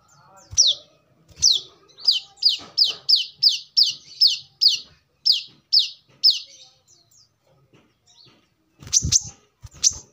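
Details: Brown-throated sunbird in a recording for luring or for training birds: a series of high, downward-slurred notes, about two per second, then a quiet gap and a few more sharp notes mixed with thumps.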